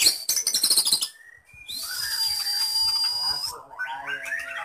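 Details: Caged white-rumped shama of the Medan type, its song packed with lovebird, canary and cililin imitations: a fast chattering rattle, two short whistles, a long held high tone with wavering lower notes, then quick twittering.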